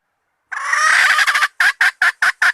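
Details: Hen calling as bait: one long, rough, drawn-out note breaking into stuttering pulses, then five short, loud, evenly spaced clucks.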